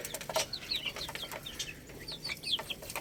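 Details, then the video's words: Chicks pecking at rice utter soft, high, quick chirps in loose strings, some curling up and down, mixed with faint ticking pecks at low volume. "Beautiful Chicks Chirping Sounds"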